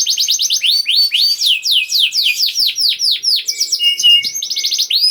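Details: Canary in full song, played to get reluctant canaries singing: a long series of loud downward-slurred whistles at a steady quick pace, then a brief fast trill.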